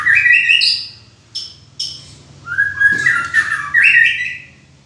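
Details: White-rumped shama (murai) singing: rich, clear whistled phrases that slide and warble between mid and high pitches, broken by two short sharp notes near the middle, then a rising, looping flourish, over a steady low hum.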